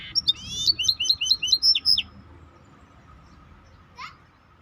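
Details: Short burst of maestro bird song, a string of quick high twittering and looping whistled notes lasting about two seconds, then quiet with one soft rising call.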